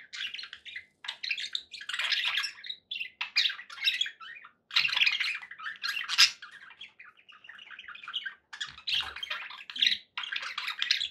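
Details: Happy budgies warbling at length: busy, raspy chatter and chirps in long phrases with short breaks, including a smoother, steadier passage partway through.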